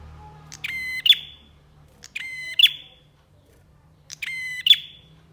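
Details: Three loud phrases from a bar-winged prinia used as training song for birds. Each begins with a click, runs into a level buzzy drone and snaps to a shrill high note that fades downward. Faint background hum.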